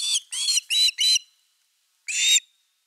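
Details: Osprey calling at the nest in the evening of 30 August 2021, evening fish time, nest camera recording: four clipped, piercing whistled notes in quick succession, a silence of about a second, then one longer strained note.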